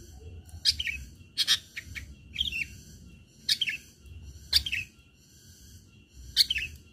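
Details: Long-tailed shrike in lively fighting-style song, used to prompt other shrikes to sing. Short, varied chirps and scratchy notes come in irregular bursts, with quiet low background noise.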